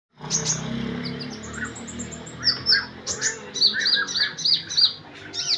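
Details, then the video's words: Sunbird song used as a morning lure for a quiet bird, Purbalingga, Central Java, Indonesia: a rapid run of high thin chirps, then a series of sharp, high, downslurred notes repeated about every third of a second, over faint low background hum. "Pancingan Burung Kolibri Malas Bunyi"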